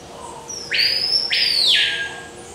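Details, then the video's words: Forest-dwelling violaceous euphonia, eastern South America, calling three strong buzzy notes in quick succession, each sweeping up and arching down, the last one drawn out longest, against a quiet background. "Violaceous Euphonia"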